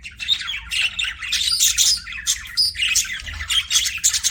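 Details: Budgies kept as pets squawking and chirping in a lively, scratchy chatter of short harsh notes and whistled chirps, several birds overlapping.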